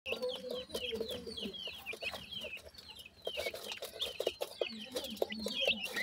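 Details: Grey francolin chicks, called teetar babies, exploring and foraging; many high, thin, downslurred peeping notes repeated rapidly, with lower clucking sounds and background noise.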